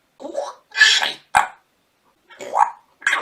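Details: A swearing pet parrot insults its owner in harsh, gravelly, speech-like bursts: five short phrases with brief pauses, one ending in a sharp click.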